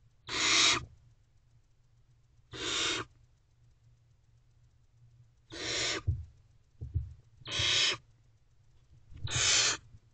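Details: Wild barn owl owlet inside a nest box on a May 2023 morning, giving five rasping hissed screeches, each under a second long, spaced roughly every one to two seconds, with a constant low background hum.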